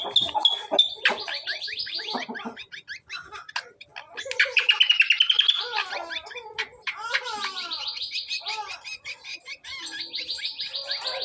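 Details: Hand-reared greater green leafbird (cucak kombo) singing as a master recording for training: fast rattling trills around a steady high pitch, sweeping chirps in between, a rising burst of rapid notes midway and a long buzzy trill near the end.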